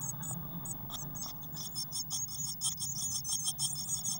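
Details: Six Eurasian blue tit chicks in a crowded nest box on 22 May 2019, some flapping their wings; thin, very high squeaky notes repeated rapidly in irregular bursts over a low steady hum.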